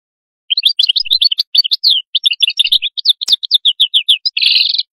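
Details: Atlantic canary song: a fast, continuous run of varied sharp chirps and twitters, ending in a dense, buzzy rolled trill, with no other sounds.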